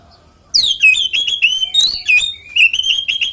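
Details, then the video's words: Oriental magpie-robin fighting song, used to goad other magpie-robins into singing: after a brief quiet start, a sudden loud cascade of descending whistles and crisp rapid chirps continues without pause. "SUARA BURUNG kacer gacor NGEPLONG TARUNG konslet ini PALING AMPUH buat PANCINGAN KACER cepat GACOR"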